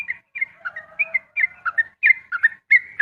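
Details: Sooty-headed bulbul singing in the ropel style at dawn: a quick run of short whistled notes that slide up and down and are repeated about every third of a second. The phrases are bright and chirpy, with fainter lower notes running underneath.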